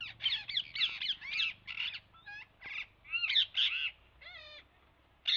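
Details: Parrots calling: a string of harsh, raspy squawks alternates with clear, curving whistled notes. The calls come in irregular bursts.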